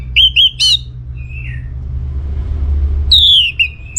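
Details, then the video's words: Orange-headed thrush song in a steady, lively style, used to call out other birds: short whistled notes and a buzzy whistle, a pause, then a loud falling whistle, with low hum throughout. "Kicauan ANIS MERAH Gacor"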